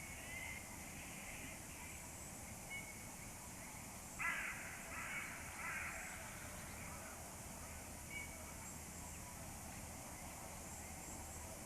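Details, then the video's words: Crows calling near a nest, a few faint caws followed by a louder burst of harsh caws midway, with a constant low hum in the background. "crows call"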